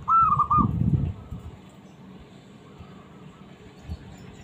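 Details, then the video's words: A small zebra dove, kept to stir silent doves into calling back, opens with a bright whistled coo that breaks into quick rolling notes, then fades into steady low background noise with a faint distant echo. "suara burung perkutut kecil mencari lawan"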